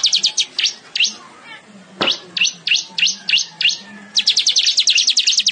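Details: Weaver in lively song, kept as tutoring material for canaries: bright, sharp chirping notes in quick bursts, separated by brief pauses, ending in a fast rattling run; a faint low hum persists underneath.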